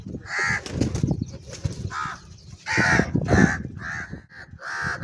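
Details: Crows in a food fight over cheese call repeatedly: about seven rough, nasal caws spaced under a second apart, some overlapping, with scuffling and clatter underneath.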